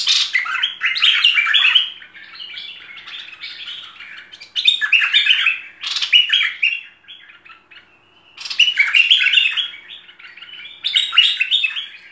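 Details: Bulbul known as merbah lekir giving a full tutor song in repeated bursts of hurried chirps and warbles, each lasting one to two seconds with quiet gaps between.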